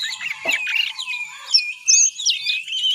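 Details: A juvenile oriental magpie-robin rehearses ngiriwik subsong: scratchy high chatter followed by a few clear, bright rising whistles and twittered notes.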